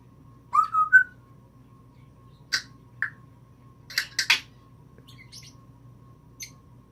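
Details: Newly acquired pet female African grey parrot mimicking sounds indoors. Short wavering whistle notes, a few scattered clicks, then a cluster of harsh, noisy squawk-like bursts against steady room hum.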